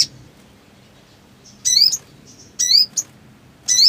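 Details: Black sunbird in breeding mood: a few loud, harsh, descending high chirps separated by brief thin whistles, about one each second.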